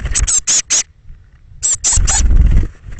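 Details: On the morning of 21 May 2017, thirteen Eurasian blue tit chicks leave their nest box. Loud, shrill squeaks in two short bursts of four, with heavy low scraping and knocking.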